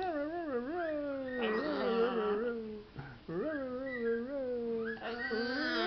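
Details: Captive macaw at play with its favourite towel in a small room, making a continuous wavering, whining vocal sound that rises and falls in pitch, broken by a short gap near the middle.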